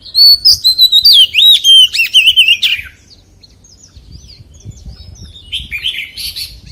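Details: An Oriental magpie-robin belts out forest-voice song for three seconds: bright whistles, looping slurs and fast warbled trills. Then quieter scattered chirps and a few soft notes follow.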